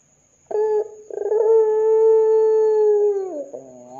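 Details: Ringneck dove calling so that other doves answer. A crisp opening note, a short pause, then a rippling trill leads into a long unwavering coo that dips at its end.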